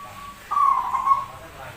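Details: Zebra dove said to be rare and oddly voiced but a keen singer, giving one drawn-out whistled coo with a gentle warble near its end, preceded by a faint steady tone.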